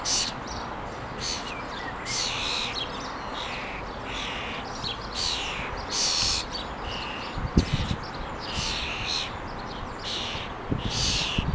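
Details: Common starling mother feeding her little ones on a garden lawn where food is put out each morning; a steady series of rasping, hissy begging bursts about once a second, with occasional sharp taps.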